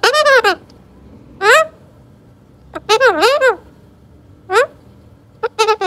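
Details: Young Alexandrine parakeet (Psittacula eupatria) talking: loud, squeaky, rapidly rising and falling chattering bursts, several quick phrases spaced by short pauses, with a quiet room hum beneath.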